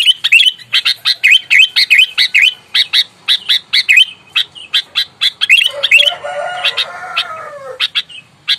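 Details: Sooty-headed bulbul calling fiercely as in a fight, used as a lure for rivals: long rapid series of harsh notes with dipping slurs, joined late by a lower wavering squeal.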